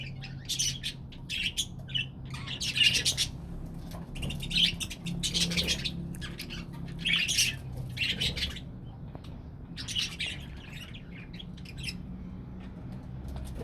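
A budgerigar flock chatters with busy, scratchy warbles and sharp chirps overlapping continuously.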